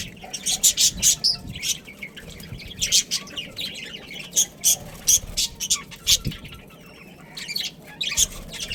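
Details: Pet budgie breeding pair calling in distinct, clipped chirps, often in quick doubles and triples, with a short lull near the end before the twittering resumes.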